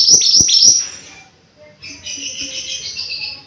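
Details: Opening on the tail of a mountain white-eye song, three quick high downslurred notes, followed by a pause and then softer warbling twitters overlapping at lower volume.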